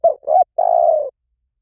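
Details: Spotted dove giving a 'liu tan' style call, meant to lure trained doves into calling back: a quick pair of soft coos, then a long, vibrating coo that slowly sinks in pitch. The background is silent.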